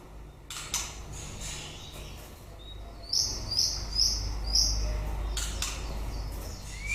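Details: White-rumped shama near the end of its breeding season, giving four short bright high notes spaced about half a second apart after scattered clicks, with constant low background hum.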